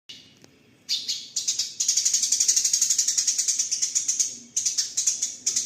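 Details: House sparrows fighting, giving a dense run of high, sharp chirps repeated about four times a second in bursts, with short gaps between the bursts.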